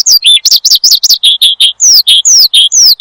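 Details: Horsfield's bush lark singing energetically, used as a lure and training song for cage birds: a fast, steady run of loud, clear whistled notes, about five per second, mixing short buzzy bursts with long descending slurs, with no other sounds.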